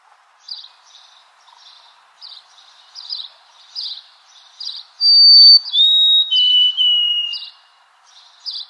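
A White-throated sparrow sings clear, pure whistles in three long notes stepping down in pitch, over steady high chirping from other birds and a faint low hum.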